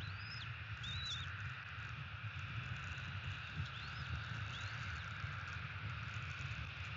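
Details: Bald eagle calling at its Florida nest on 30 December 2017 around eleven in the morning: a few high, thin arched whistles early on and two more midway, separated by quiet, over constant low background rumble.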